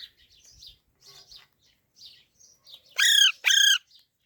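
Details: A baby parrot gives quiet, spaced high chirps, then two loud, harsh, ringing squawks close together near the end.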